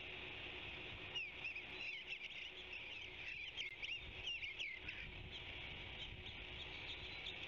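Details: Song of an Eastern bluebird perched on a branchlet near the Savannah osprey nest: a burst of quick, slurred, warbling notes in the middle, then mostly steady hiss.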